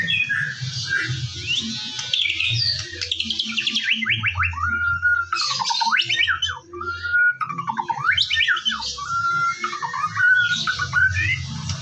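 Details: Lure song of a white-rumped shama recorded in the morning: long flowing run of swooping whistles, trills and clear held notes, loud and continuous, with a faint low background rumble.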